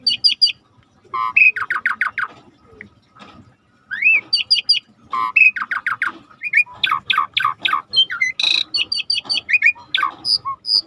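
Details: Asian pied starling (jalak suren) song used as a lure to set silent birds singing: bursts of stacked harsh chattering notes mixed with rising whistles, in quick runs separated by short pauses.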